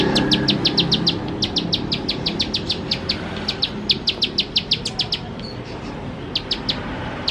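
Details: Bar-winged prinia in energetic 'nembak-nembak' style, used as a lure to get birds singing fast: a dense rattle of high, sharp notes for about five seconds, a pause, then a few closing ticks.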